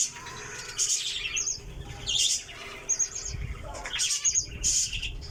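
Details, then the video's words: Java sparrow producing a lively series of high, ticking chirps and short trilled notes, several per second at times, with light fluttering sounds. "java sparrow"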